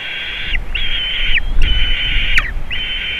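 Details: White-tailed eagles at a Latvian nest on 27 June 2019, a juvenile visiting the eaglets, nest camera: long, high whistled notes, each flat, then falling at the end, in four close bouts with a faint low rumble.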